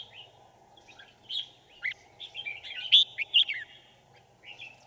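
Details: Red-whiskered bulbul acting as a trap decoy to attract wild birds, recorded 5 January 2018; a rapid run of slurred whistles and sharp chirps rising to a loud burst midway, over a steady low hum.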